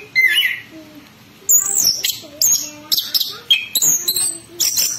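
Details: Orange-headed thrush in ngerol ngeplong lure song: a rising whistled slur, then clusters of sharp, high, scratchy notes and quick chips, with quieter low tones between the phrases.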